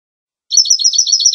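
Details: Goldfinch giving a rapid, even trill of high, bright notes, about ten per second, starting after half a second of silence.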